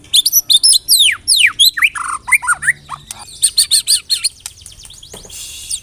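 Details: White-rumped shama singing a fast, varied song of rapid downslurred whistles, sharp chirps and high buzzy notes in quick bursts, loud and close, with a quieter high trill near the end; a bird kept for song training.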